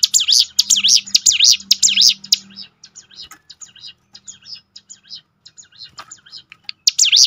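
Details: Bar-winged prinia singing to coax other birds into song: a loud run of zigzag chirps for two seconds, then softer scattered notes, and a final loud burst at the end.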